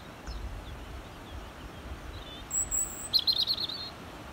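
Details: A European robin (Erithacus rubecula) sings from a tree at Cammo Estate: a brief, thin, high whistle, then a quick twittering trill, over a soft background rumble of wind.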